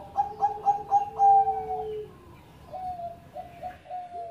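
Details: Zebra dove of the Bangkok type, once a first-place contest winner, sings a rapid string of clipped, bright notes. A sustained mellow coo follows, then a run of evenly spaced higher coo notes.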